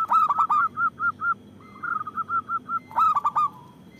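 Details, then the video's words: Local zebra dove with a big voice, kept to lure and provoke other doves into calling: a bold stuttering coo phrase trailing into soft evenly spaced hoots, a second quieter series, then another loud rolling phrase. "Perkutut lokal gacor Suara Besar Bagus Untuk Pikat dan Pancingan"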